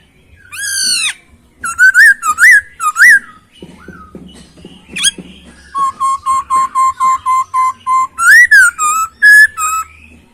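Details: Masked laughingthrush sings a varied, clear song: rising whistles, wavering notes, then a steady run of about a dozen short even whistled notes, closing with a loud upslurred phrase.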